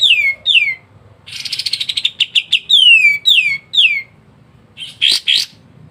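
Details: Pied triller (kapas tembak) singing in lively, dense ngebren style: sharp descending whistled slurs alternating with a fast buzzy chatter of clicks, then short harsh bursts near the end.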